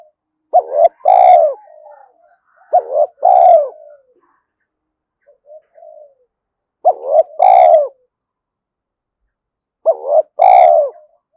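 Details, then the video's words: Repeated spotted dove cooing, meant to rouse other doves: four two-part phrases, each a brief dipping note then a strong drawn-out coo, with faint soft notes in the gaps. "tiếng cu gáy kích bổi nhanh nổi hiệu quả mỗi ngày"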